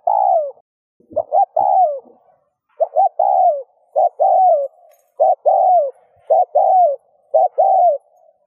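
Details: Spotted dove cooing steadily to stimulate other doves: about eight phrases of one or two brief notes followed by a longer descending coo, repeated roughly once a second with a few low clicks early on.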